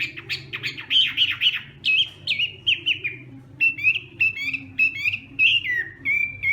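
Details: Morning voice-training song of a Hwamei, sung as fighting song: rapid clustered whistles at first, then a long series of separate clear whistled notes, each sharply slurred downward, spaced roughly half a second apart, with a faint low hum.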